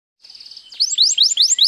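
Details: White canary singing vigorously: a soft, even trill of quick notes opens, then loud, bright upward-sweeping whistled phrases repeat about five times in quick succession.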